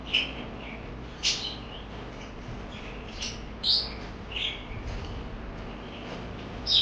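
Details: Parakeet chirps: sharp high squeaky notes spaced a second or so apart, with soft faint twittering between them over low room hiss.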